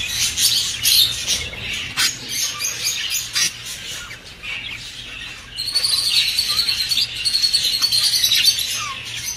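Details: Budgerigar song aimed at stimulating breeding: sharp clicking chirps and scratchy bursts at first, then a sustained, rippling warble of fast repeated high notes in the second half, over a faint low hum.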